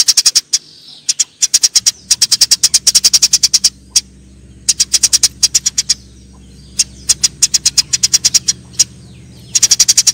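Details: Eurasian tree sparrows fighting: almost continuous rapid, sharp, high chirping in long runs, over a steady low droning hum through most of the recording.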